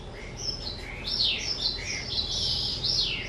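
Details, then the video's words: Pet skylark, two years old, recorded 18 April 2023: varied high warbling song with sweeping whistles, rapid chirps and downward slurred notes, lively and continuous, over a low steady background hum. "Chim Sơn Ca 2 Tuổi"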